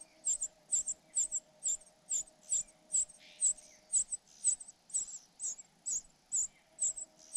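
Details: Cuckoo fledgling cared for by foster parents, begging: rapid repeated piercing high notes about twice a second, some doubled, with a few faint lower chirps and a low hum.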